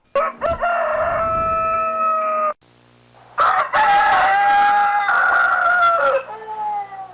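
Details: Rooster crowing twice, each crow a long harmonic-rich call held steady then dropping at the end, the second longer with a rough, wavering middle; a short gap of near silence between them.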